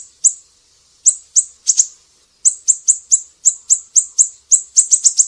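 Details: Siri-siri song as a training recording for cage birds: a few separate, high, sharp chips, then a steady run of evenly spaced chirps that quickens into a fast flurry at the end.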